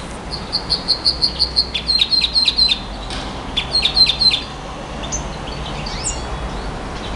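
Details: Singing nightingale giving a quick series of piercing high notes that shift into a clicking, stuttered trill, then a second burst of the same trill. Faint whistles follow in a noisy, hissing background.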